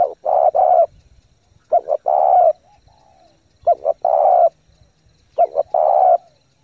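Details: Spotted dove giving intense 'thúc gù' coos to rouse decoy birds and train new captives: four phrases, each a pair of brief notes then a long husky coo, about every 1.5 seconds, with faint background hum.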